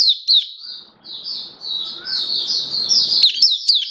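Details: Oriental white-eye (mata puteh, Kitaro type) in a cage, song booster test, October 2022: a few sharp high chips, then a continuous thin high warble with faint low clatter and hum beneath.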